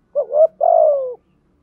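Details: A single spotted dove phrase from recordings of male and female birds used for training and luring. A short rising coo is followed by a longer, steady, slightly falling hoarse coo, then silence.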